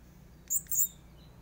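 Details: Two Greater Green Leafbird nestlings from one nest in Banyuwangi, a male and a female still being hand-fed, give two quick, very high, thin squeaks in close succession over a faint background hum.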